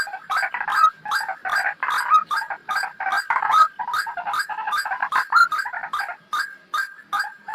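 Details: White-breasted waterhen (ruak-ruak) lure call for trapping birds: a dense run of harsh, croaking notes crowding together with short gaps, overlapping phrases giving a busy, chattering effect throughout.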